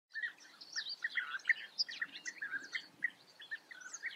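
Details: Several European bee-eaters in the Eifel, Germany give short, liquid, rolling chirps, overlapping in a quick, uneven chorus several times per second.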